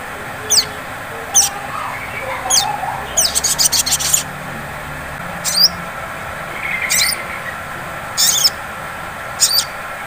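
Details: Sunbird, known locally as sogon, in a ngleper lure recording intended to provoke song. Scattered sharp, high downslurred chips are mixed with one longer rattling trill, over a soft hiss.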